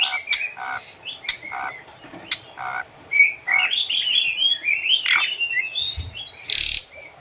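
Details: Training audio of an Asian pied starling for caged birds: short spaced clicks and harsh squawks at first, followed by a flowing series of high slurred whistles and a buzzy burst.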